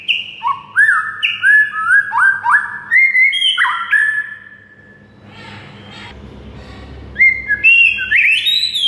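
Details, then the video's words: White-rumped shama song used as a tutor recording to rouse silent shamas: rapid series of clear whistled notes stepping and sliding between low and high pitch, a brief pause with faint background rustle, then rising whistles resume. "MURAI BISU SONTAK NAIK EMOSI DAN GACOR DENGAR MASTERAN MURAI SATU INI"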